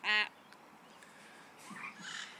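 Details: Hollywood, an Amazon parrot, gives one loud, nasal, harmonic squawk, then softer voice-like mutterings resembling snatches of mimicked songs such as Happy Birthday, with a quiet room behind.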